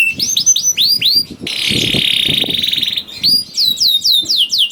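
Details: Canary singing vigorously to stimulate other canaries: looping upswept slurred notes, a sustained buzzy roll lasting over a second, then more repeated curling whistled notes.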